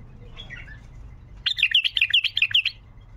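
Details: Wild bulbul singing a 'tayyariyat' phrase, played to prompt quiet bulbuls into song: a brief soft chirp, then a rapid run of bright slurred whistled notes repeated about two to three times per second for over a second.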